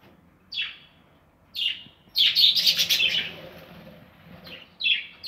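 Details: Budgerigars breeding in an aviary: two sharp falling chirps, then a two-second run of dense scratchy chatter, followed by more single downslurred chirps.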